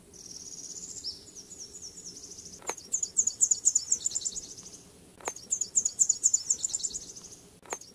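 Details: Nashville Warbler singing high in the trees along a path at Holt Pond Preserve in spring: two-part phrases of high, thin, rapidly repeated notes, sung twice, with an insect-like high hum and a few clicks.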